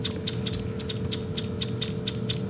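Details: A Chinspot Batis alarm-calls on an afternoon safari drive at Djuma Game Reserve, South Africa, in August, possibly at a snake, mongoose, lion or leopard. It gives a rapid run of dry, high clicking notes, about four or five a second, over a steady low engine hum.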